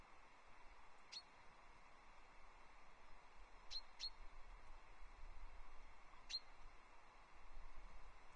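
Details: Female common chaffinch perched beside a nesting osprey at Loch Arkaig on 25 April 2024, caught by a nest livestream camera: four short, sharp high tweets at irregular intervals, two close together mid-way, over a steady low rumbling background.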